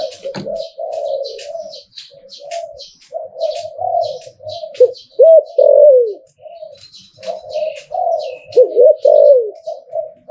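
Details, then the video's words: Spotted dove cooing in the หลิ่วตัน manner: long runs of soft coos building to loud looping notes that fall away. Thin chirps of other birds throughout. "หลิ่วตันตลอด Thai dove"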